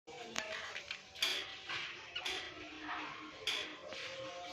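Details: Breeding budgerigars (Melopsittacus undulatus) chatter in a busy stream of high warbles, squeaks and sharp clicking notes.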